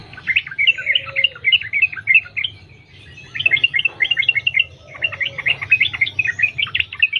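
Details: Yellow-vented bulbul singing vigorously in the wild, a lure recording to set other bulbuls singing: three long runs of fast, warbling, chattering notes separated by short pauses.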